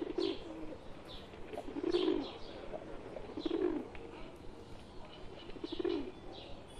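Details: Wild pigeons with a pet pigeon among them, deep purring coos swelling and fading in clusters about every two seconds, against a quiet outdoor background.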